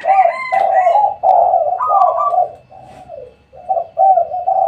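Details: Spotted dove at a house at midday giving soft, mellow coos in quick phrases, a rolling series with brief pauses between groups; no other clear sounds.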